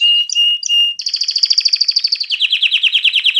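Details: A canary sings to arouse females for mating and teach young birds: three level whistled notes, then a long, fast, even trill that drops into a slightly lower, throbbing series of pulses.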